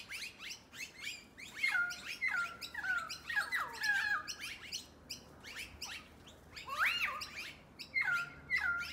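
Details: Before dark, noisy miners chatter together in quick overlapping bursts of sharp, down-slurred notes, a louder arched call near the end amid continuous flock noise.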